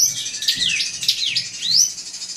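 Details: Brief drongo song aimed at a rival: quick whistles sliding down then up in V-shaped sweeps, ending on a long rising whistle, over faint background hum.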